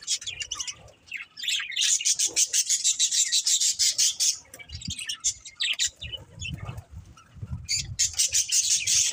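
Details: Budgies chirping: a rapid, buzzy series of clicking pulses, roughly three per second, builds into a rattling chatter, fades, then returns with low rumbles below.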